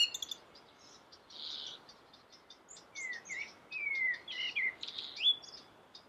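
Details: Common blackbird song with melodious quality: short slurred whistles and sweeping fluted notes in the middle, mixed with scratchy high twitters and soft chirps throughout.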